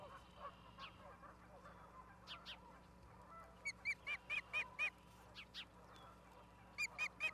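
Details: Osprey at the nest in Charlo, Montana, 17 August 2023 around 16:04, filmed by a live nest camera. After soft background bird chatter, it gives a run of sharp whistled chirps, then a short pause and another quick burst near the end.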